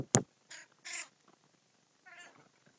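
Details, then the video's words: Crows in a feeding group give short, harsh, harmonic caws. A sharp click opens the passage, then three spaced calls come in quick succession, and one more follows after a pause. "Muder Of Crows Feasting"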